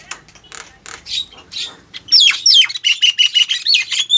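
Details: Javan myna female calling a male, lure sound: softer raspy notes at first, then loud harsh squawks mixed with sliding whistled notes that drop and rise, repeated about three times a second.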